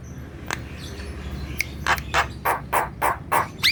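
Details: Actively singing black-winged myna. After a soft isolated note, a regular series of rasping, scratchy notes starts midway, roughly three per second, with a brief upward squeal at the end.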